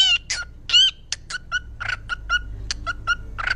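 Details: Pet parrot giving a series of short harsh squawks and chirped notes, some in quick pairs, irregularly spaced over a few seconds indoors.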